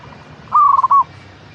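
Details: One zebra dove coo used to stimulate a caged bird: a half-second phrase with a held opening tone, a rapid flutter of pulses and a short closing note, over quiet low hum.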